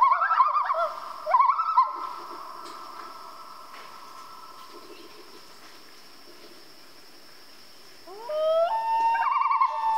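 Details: Two quick tremolo bursts from a common loon at night, then a long quiet stretch, then a rising wail that settles into a steady, held tone.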